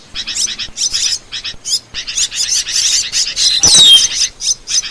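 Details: Asian glossy starling (Aplonis panayensis) song used as a training/luring recording: a fast, steady run of high, sharp chirps and metallic chatter, with one bright whistled downslur midway.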